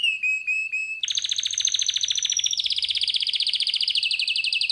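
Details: Male pet canary singing: four short descending whistled notes, then a long, fast, pulsed trill that steps down in pitch midway.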